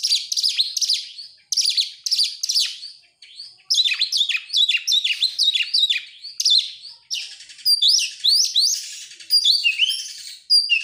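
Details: Oriental magpie-robin used as a singing lure for other birds: strong buzzy bursts repeated at regular intervals, then a dense run of fast scratchy notes and rising whistles for over ten seconds.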